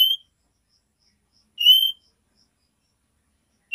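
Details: Calling female oriental magpie-robin giving the 'nyiul' note to attract a male. Short, upslurred, pure whistles are separated by long silent gaps, three in under four seconds.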